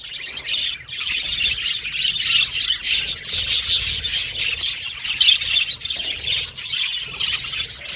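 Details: Budgerigars chirping and chattering together as they sing and play: a steady wash of high, twittering notes from several birds, briefly dipping near the first second, then a busy, unbroken warble with scattered sharp chirps.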